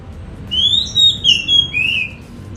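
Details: Kept Oriental magpie-robin (Kacer) in Semarang, Indonesia, starting to sing again one morning around its bath after being relaxed and seldom singing. Clear, high, whistled phrases, slurred upward and downward, about four linked notes in quick succession over a faint low hum.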